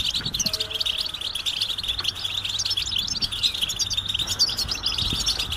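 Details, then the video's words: A flock of European goldfinches calling together with mating and readiness calls meant to stir males into singing; dense, overlapping high twittering and chattering runs throughout without pause, over a faint low hum and a few soft knocks. "بتبتة جماعية رهيبة لتحفيز الحسون على التغريد والهيجان"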